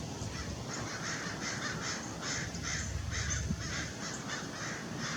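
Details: Harsh, scratchy notes from an adult Lewis's woodpecker, repeated about twice a second and somewhat soft, at Irvine Regional Park in Orange, California, December 6, 2021, with a steady low background rumble.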